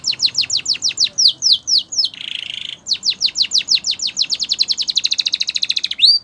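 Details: Canary singing a training song: fast runs of descending slurred notes, a short harsh rasping burst, then a long accelerating trill of rapid repeated high notes.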